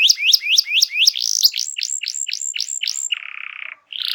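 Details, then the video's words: Forceful canary song to rouse silent birds: six rising whistled notes, then a string of crisp falling whistles, a low buzzy roll and a brief high trill. "Kicau Burung Kenari Gacor Ngegas untuk Pancing Burung Diem"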